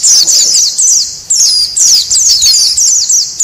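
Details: White-eyes in a noisy lure recording meant to attract wild birds: dense, rapid high chirps and twittering phrases in bursts, with short gaps near 1.3 and 1.9 seconds.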